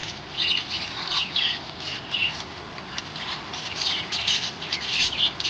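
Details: A happy pet budgerigar chatters in a steady stream of bright, scratchy chirps and warbles, high and fast, with a few sharper squawks mixed in.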